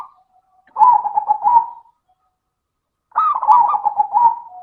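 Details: Local zebra dove singing in the clear 'crystal' style as a lure for other doves: two warbling, looping coo phrases about two seconds apart, each fading into a soft steady tail.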